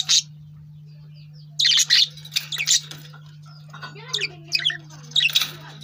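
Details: Pet lovebird chirping: sharp, shrill chirps and squawky bursts, one early, a fast group of three after a pause, then softer twittering notes and further chirps, with a constant low electrical hum beneath.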